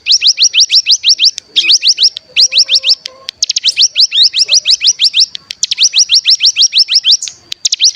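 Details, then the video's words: Bar-winged prinia mountain lure sound used to stimulate other birds to sing: bursts of rapid rising whistled notes, several phrases of six to ten notes separated by short pauses. "Pancingan Cigun Bahan Agar Bunyi Langsung Ngebren Paling Ampuh"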